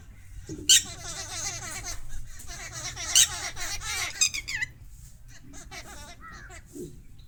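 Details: Mynas fighting each other: harsh, squawking, warbled calls with loud rasping screeches near one second and three seconds, then a busy run of chattering notes that fades to scattered softer squeaks.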